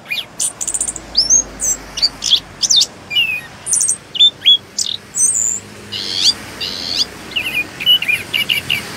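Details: Orange-headed thrush, called anis kembang, singing steadily in a rolling style: rapid varied phrases of high whistles, sharp upslurred notes and chattering buzzy bursts with brief pauses, some mimic-like, with faint background hiss.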